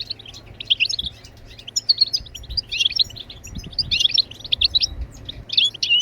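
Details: European goldfinch song, played to encourage other birds to sing: busy liquid twittering with buzzy notes, in phrases that swell and fade about every second.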